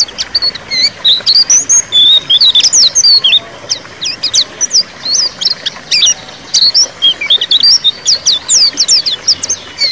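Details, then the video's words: Ngeriwik-style white-eye song played to coax a white-eye that has stopped singing; busy stream of very high, squeaky rising and falling notes in quick bursts, nearly unbroken for ten seconds. "suara pleci ngeriwik pancingan pleci macet bunyi"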